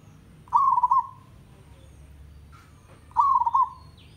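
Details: Two staccato, purring coo phrases from a village zebra dove, about 2.6 seconds apart, over a quiet low background hum; audio meant to train birds to sing diligently.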